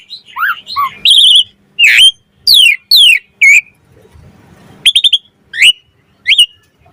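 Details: Asian pied starling song in the 'mompa' variation style used as a training tutor and lure: wavering whistles, then strong downslurred whistles spaced by pauses, a quick triple note and two final slurs.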